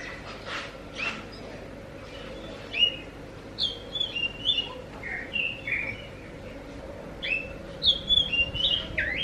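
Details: Lure song of an Oriental magpie-robin (kacer), meant to prompt other magpie-robins to reply: scattered whistled slurs in two bursts, mid-clip and at the end, over a steady low background hiss.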